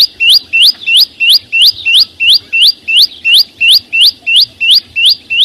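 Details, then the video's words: Loud, evenly paced upswept whistles from a chim sâu xanh, roughly three each second, each note climbing steeply and topped by a thin high click, repeated regularly over a faint background murmur. "ssuab no9ó txeeev quaj zô heec tiếng chim sâu xanh hót chuẩn"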